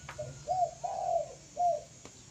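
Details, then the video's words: A spotted dove gives a short cooing phrase: a brief soft note, then two longer hollow coos, a gap, and a final rounded coo, all mellow and low-pitched against a quiet background. "burung tekukur mantaf suwara ya"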